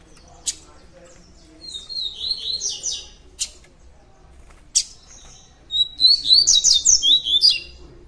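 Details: Double-collared seedeater, a caged bird in the style called tui tui diamante, singing rapid buzzy trilled phrases that rise and fall around high pitch, with sharp clicks between phrases and a fast run of repeated notes near the end.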